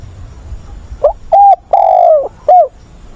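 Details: Spotted dove kept as a decoy for training freshly caught wild birds, recorded 20 August. One full cooing phrase: a brief rising pickup, a steady hollow coo, a longer drawn coo that slides downward, and a short closing note.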